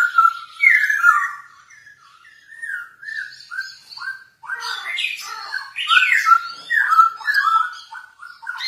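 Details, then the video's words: Masked laughingthrush song used as a lure to train other birds: a run of clear whistled phrases, some slurred and rising, some falling, with brief pauses between bursts and a few higher chirpy notes mixed in. "Suara Merdu Poksay Hongkong Gacor Cocok Untuk Pancingan"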